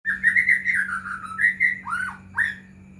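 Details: White-rumped shama song used as a lure to make other shamas sing: a quick run of rich whistled notes around the same pitch, then two swooping down-slurred whistles, with a steady low hum beneath.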